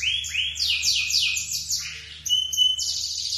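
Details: Lemon-coloured male canary in long song: a few rising swoops, then quick descending trilled notes repeated in a run, a brief dip, and a high thin whistled phrase with tight trills, over low background hum.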